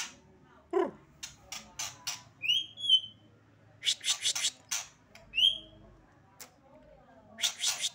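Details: Young, novice white-rumped shama singing readily, giving short clear whistled notes, some rising, some falling, mixed with harsh buzzy chattering bursts; brief spaced-out phrases, faint room noise behind.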